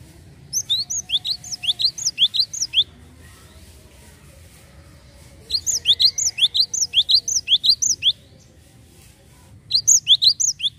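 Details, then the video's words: Java sparrow lure call meant to prompt untrained birds: three bursts of high, sharply rising chirps, each a rapid string of eight to twelve notes, separated by brief pauses with faint low murmuring. "PANCINGAN GELATIK BAHAN"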